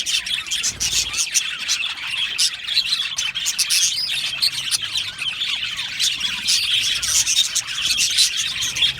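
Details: Budgies chattering in an aviary, many voices mixing bright chirps, warbles and rasping squawks in a steady flock chorus.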